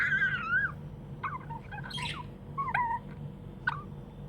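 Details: Pet budgerigar described as happy, chirping: a longer warbled, wavering note at the start, then short bursts of sliding chirps and squeaky notes, with a steady low electrical hum underneath throughout.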